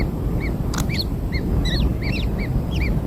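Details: Newborn kingfisher chicks being fed black insects: repeated short high arched chirps, some overlapping, several per second, over a steady low rumbling background noise.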